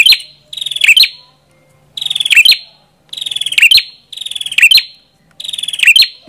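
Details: Prenjak kepala merah sings series of high buzzy trills, each finished by a sharp chip. About six phrases are heard at roughly one-second spacing, with a faint low hum.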